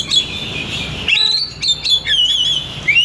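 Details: Oriental magpie-robin (kacer) pouring out continuous song to stimulate other kacer: a long chain of warbling whistled notes, wavering and mimic-like, with quick sharp inserts and a final rising whistle.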